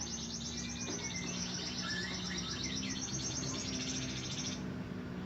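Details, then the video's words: Canary regarded as a promising singer, delivering a sustained, high, fast-pulsed trill that runs for over four seconds, with a low steady hum underneath. "Burung kenari prospek"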